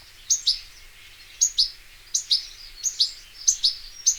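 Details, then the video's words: European goldfinch, or taqtaq shouk, heard in nature: spaced pairs of bright, high chirps, each pair sounding about every half to one second against a quiet, faintly hissing background. "صوت الحسون حسون ذهبي عروس التركمان طقطق شوك الحسون صافي من الطبيعة European goldfinch sound"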